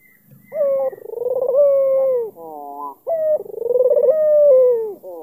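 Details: Trying to provoke an opponent, an albino Barbary dove with a black neck ring from Kalimantan gives two full coos, each with a short bright note, a long pulsing, falling roll and soft wavering notes between them.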